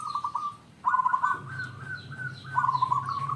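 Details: Local zebra dove song meant to provoke other doves into calling: three rolling staccato coo bursts, the middle one longest, over faint repeated high chirps and a low background hum.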